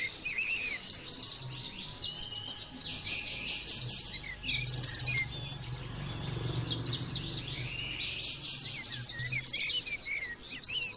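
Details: Oriental white-eye singing in the rapid 'nembak' style, used as training therapy for other white-eyes to copy: dense, high, thin twittering bursts of quick down-slurred notes, pausing briefly near six seconds before resuming, with a faint low hum beneath.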